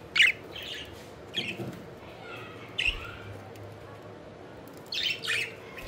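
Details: Budgerigars at play, giving scattered sharp chirps and squawky notes in separate bursts, a louder cluster near the end, with a low background hum.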